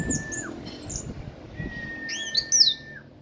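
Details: Ringed orange-headed thrush kept in captivity, in song after moulting: sweet high slurred whistles, a long level whistled tone held over a second, then rapid rising and falling twittered notes with a loud shrill flourish near the end.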